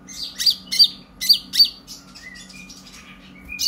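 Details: Purple-throated sunbird's energetic chatter serving as a singing lure: four emphatic sharp high chips in quick succession, followed by softer thin whistled notes and one final chip.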